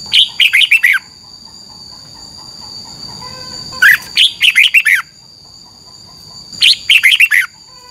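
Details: Red-whiskered bulbul kept in a cage in Thailand, singing the double-phrase song used to teach birds to count phrases. Three lively bursts of rapid, slurred whistles spaced about three seconds apart, backed by a constant high whine.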